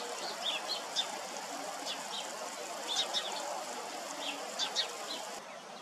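Buff-banded rail giving short, squeaky high notes in pairs, roughly once a second, over a steady background hiss.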